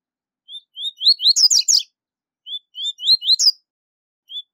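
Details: Double-collared seedeater repeating its high-level tui tui zel zel song, used for training young birds. Two phrases, each of clear rising whistles that build into a loud, buzzy, rattling flourish. A third phrase starts at the end. Quiet background.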